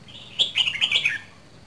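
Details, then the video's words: Red-whiskered bulbul from Dak Lak, Vietnam, two seasons old, delivers a fast chattering song phrase of about six linked, liquid notes ending in a lower downward slur, with a soft steady hum beneath. "CHÀO MÀO LÂN DAK LAK 2 MÙA SIÊU BỘNG"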